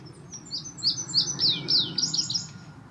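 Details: Indigo bunting, a male still molting, singing during a visit: a bright high series of paired slurred notes, each sweeping downward, followed by a faster cluster of thin chips at the end.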